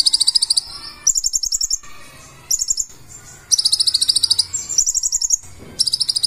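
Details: Purple-throated sunbird (kolibri ninja) singing its full 'isian' repertoire: piercing high chattering trills in sharp bursts of under a second, alternating with short silences; a soft low rumble sits in the background.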